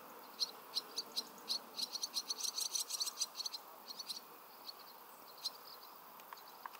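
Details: Barn swallow (Hirundo rustica) chicks begging for food as they are fed: a burst of thin, high chirps, fast and overlapping for a few seconds, then trailing off into scattered single peeps.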